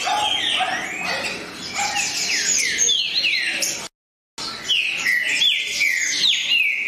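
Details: Green-winged saltator song, a dense run of bright downslurred whistles overlapping quickly, broken by a brief cut of silence before the phrases resume.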